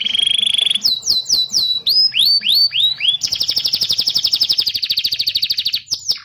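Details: Canary singing to train young canaries and prompt quiet ones: a steady whistle, then repeated falling slurs and rising upswept notes, followed by a long fast rhythmic trill of sharp notes that ends with a quick flourish.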